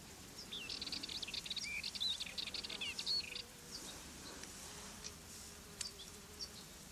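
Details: European goldfinch in the wild, perched on fennel in the Garraf Massif, Catalonia; a quick burst of high twittering and slurred notes for about three seconds, then fading to scattered faint chips over steady background hiss.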